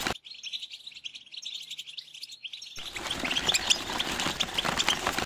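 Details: Mating song of a European goldfinch, in the styles called tbetba and stsesta: a continuous stream of bright, high twittering notes, clean at first, then over strong hiss with sharp tinkling peaks.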